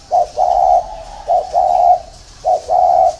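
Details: Spotted dove giving a soft, mellow coo pattern: a brief clipped note, then a drawn-out level coo, repeated about once a second with quiet gaps between phrases.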